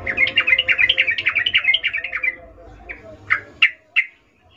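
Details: Female sooty-headed bulbul in breeding mood calling for a male, 'ngecuplik' style: a rapid rattling chatter of bright notes for about two seconds, then a few scattered separate chirps, over a faint low hum.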